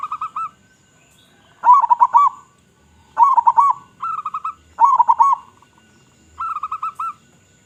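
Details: Local zebra dove (perkutut lokal) with a big, strong voice, played as a lure: cooing phrases of rolling, stuttered coos with a final drawn note, repeated roughly every one and a half seconds.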